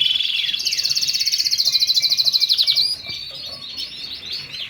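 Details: Song of a Lancashire canary, opening with a rapid, even rattling trill that runs for nearly three seconds, then breaking into softer, scattered chirps and short warbled notes.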